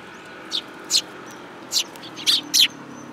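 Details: Several sparrows gather for food at a Tenmangu shrine, recorded 8 July 2022, with five or six quick, high chirps, some clustered close together near the end.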